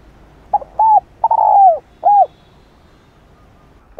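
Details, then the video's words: Spotted dove crowing to provoke a wild-caught dove into singing: a brief low note, then two looping mid-pitched coos and a long, drawn, slightly falling coo, then a final arched coo. The background is quiet. "Cu gáy kích bổi. gáy gọi kèm thúc nhẹ + gù kích thích cu bổi nhanh gáy"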